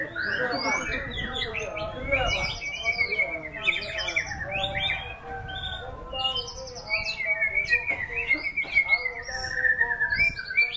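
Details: Varied white-rumped shama song with high, sweeping whistles, fast trills and sustained clear notes, the phrases running continuously and shifting between high and middle pitches.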